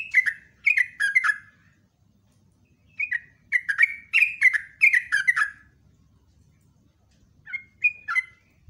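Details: Sooty-headed bulbul (trucukan), caged, singing ropelan phrases of rapid whistled notes that fall in pitch, three bursts separated by pauses of a second or more.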